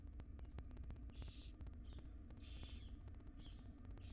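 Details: Wild barn owl female feeding her tiny chicks inside a monitored nest box; a series of harsh, hissing screech bursts, each under half a second, repeating roughly every second over a steady low hum and faint clicking.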